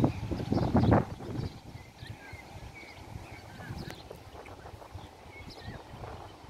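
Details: Swallows flying over Bebnisi Lake, Shida Kartli, Georgia: short thin chirps scattered through the middle seconds, some in quick pairs, over steady background hiss, with loud low thumping and rumbling at the start.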